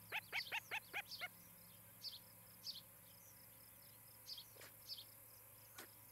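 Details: Osprey calling from a nest in Charlo, Montana, on a nest cam during a July 2018 evening: six quick, piercing chirps in a burst, followed by softer, spaced single notes against a faint insect drone.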